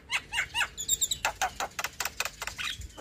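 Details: Young Javan myna in energetic song used to teach other mynas, opening with three quick looping whistles and then a rapid run of sharp, clicking chatter notes.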